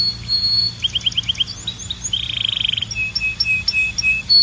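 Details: Varied canary song: quick rising chips, a short series of falling notes, a soft buzzy rattle, then evenly spaced clipped whistles repeated at a steady pace.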